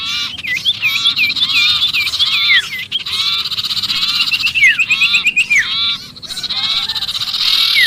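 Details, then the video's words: Sirpu calling in alarm as if stuck, to draw in other birds: fast looping chirps and rattled series, steep downslurred notes, continuous excited chattering for the whole stretch. "suara pikat sirpu Ribut kejepit"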